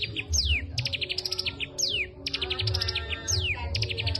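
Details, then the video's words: Full-voiced cigun song learned from the kapas tembak: rapid high chipping series punctuated by long falling whistled sweeps, repeated in quick succession above a droning low background hum. "Cigun materi kapas tembak Gacor"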